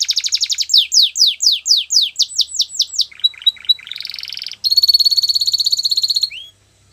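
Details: Belgian canary singing: a fast buzzy trill, then a run of bright down-slurred whistles, a lower rattling section, and a high ringing trill ending with a short upward slur.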